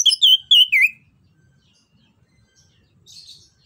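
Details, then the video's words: Orange-headed thrush singing in the 'ngerol ngeplong' style meant to coax a reluctant bird to sing: three fast, clear whistled notes, each sliding downward, then quiet with a faint high chatter. "PANCINGAN JITU ANIS KEMBANG GACOR NGEROL NGEPLONG"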